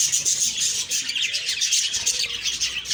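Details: Bright, high, warbled budgie chirps pour out nonstop in a short morning burst.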